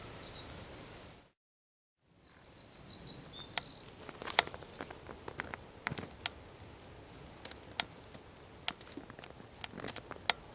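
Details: Eurasian wren song recorded in Zamudio, San Miguel de Daño neighbourhood, 4 December 2019: high pulsed trill fragments broken by a short silent gap, followed by many sharp irregular clicks and taps against a soft background hiss.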